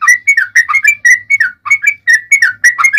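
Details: Yellow-vented bulbul in full fighting song: a continuous chatter of bubbly whistled notes in quick clusters, rising and falling, delivered in a lively, almost unbroken stream with brief gaps.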